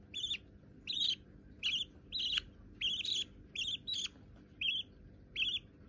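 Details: Budgerigar babies, white and already hand-tame, calling with clipped, buzzy chirps repeated a little more than once per second, evenly loud throughout.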